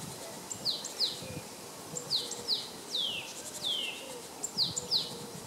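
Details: Male great tit recorded in March 2015 at Jarun, Zagreb, Croatia: sharp, high descending notes, mostly in pairs, repeated every half second or so, with a faint lower bird twittering and soft outdoor noise.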